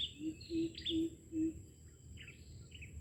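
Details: Red junglefowl from Aceh, a call used to lure wild junglefowl: four low hollow tonal notes about every 0.4 seconds, then quiet. Higher chirps from other birds sound over a constant insect hum.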